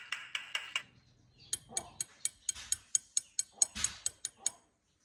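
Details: Myna calling with a rapid series of sharp, clicking notes, roughly ninety a minute, opening with a short burst of harsh, buzzy repeated notes before the dry clicks take over.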